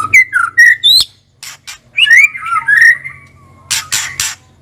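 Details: White-rumped shama kept in a cage, singing a series of short whistled slurs and buzzy notes, with scratchy bursts at the end and a low steady hum in the background.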